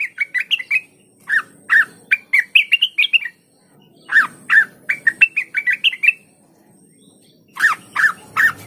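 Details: Blue-winged leafbird in lively song. Rapid runs of sharp chirps and higher warbled notes come in three bursts, with a silent gap of about a second before the last burst.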